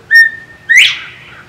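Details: Male northern bobwhite calling while visiting a feeder in southwest Florida: a short, level whistled note, a brief pause, then a loud, sharply upslurred whistle, giving the two-part pattern, with little background noise.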